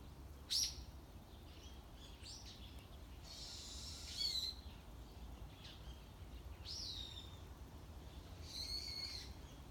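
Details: ['Morning chorus of unseen wild birds: scattered, separate high calls, sharp chirps and brief downslurred whistles, spaced a second or two apart, one louder note near the start, over faint low background hum.']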